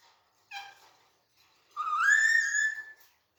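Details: Caged green Alexandrine parakeet, described as active and in a jolly mood while playing: a short harmonic squawk, then a longer rising, nasal whistled screech about a second long, in a quiet small room.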